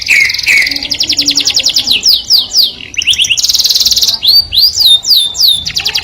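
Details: A canary's melodious song, said to attract the opposite sex: whistled falling notes, a rapid ticking trill, rising slurs and a long buzzy roll, then upswept whistles repeated quickly.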